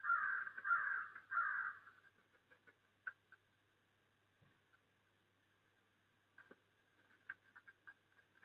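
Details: A crow gives three harsh, hoarse caws in quick succession, then falls quiet apart from faint distant calls and ticks, in snowy December.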